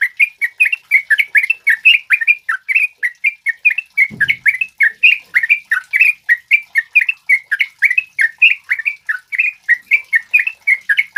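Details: Male sooty-headed bulbul (trucukan kebo) singing energetically in a wild-sounding style, recorded for provoking and tutoring other birds: a dense, unbroken run of short chirped and whistled notes, several per second, with a brief low thump near the middle.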